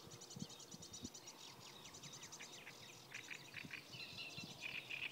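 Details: Great reed warbler singing by the Kyjovka stream at Lanžhot, Czech Republic, on 15 May 2016: rapid, grating, repeated churring phrases that give way to higher, squeakier notes, against a steady hiss of background noise.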